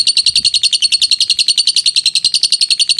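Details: Lovebird ngekek trill, a long clear song used for training: an unbroken string of rapid, high, shrill chattering notes at a very even pace throughout.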